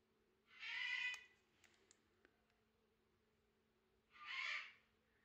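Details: Yoshi, a male Harlequin macaw kept indoors and thought annoyed at being alone since his brother died, gives two loud, harsh, raspy squawks about three seconds apart, with faint clicks and tapping from indoor activity between them.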